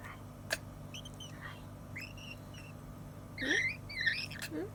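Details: African grey parrot, after eating its fill, gives a series of short whistled and squawky notes, some rising and some slurred downward, with louder rough calls near the end. A woman speaks Thai softly in the background.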